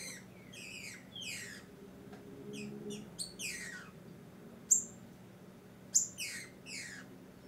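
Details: Female green-winged saltator soliciting a male, used to stimulate his song during breeding and tournament season; rapid bursts of sharp, steeply descending chirps in short clusters, with brief pauses and two louder high notes, over a faint low hum.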